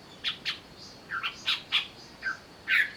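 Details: Greater green leafbird singing while agitated, used as a lure to provoke singing: short separate clear notes and slurred whistles, about one per second, with brief pauses between.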